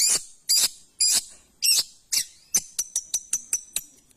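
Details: ['Long-tailed shrike giving five loud grating buzzy notes, then a faster run of short sharp ticks over a thin steady high whistle.']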